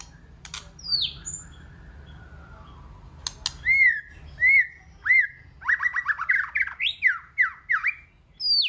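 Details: White-rumped shama singing in a many-voiced style: after a few seconds of low background rumble and scattered clicks, clear whistled notes begin, first spaced rising-falling whistles, then a fast run of varied sweeping and high chirping phrases.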